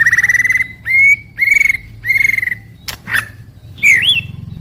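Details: White-rumped shama singing, a daily recording for morning to evening. Four steady whistled notes near the same pitch, each about half a second long, are followed by harsh scratchy notes and a final slurred twisting whistle. A low hum runs underneath.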